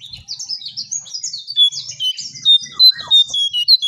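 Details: Striped tit-babbler heard in a lure recording: a dense run of high chirps and twitters, then a string of clear, loud whistled notes repeated several times a second toward the end.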